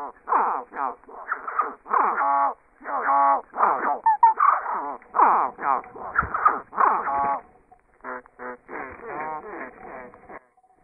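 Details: Zebra finch calls, nasal and buzzy, in rapid uneven bursts, heard at normal speed and slowed down four times, sounding deep and drawn out when slowed.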